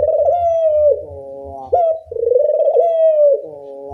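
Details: Two loud coos of a puter dove, meant as a training lure. A long level-then-falling coo trails into a softer tone, then a quick upward flick leads into the next long coo.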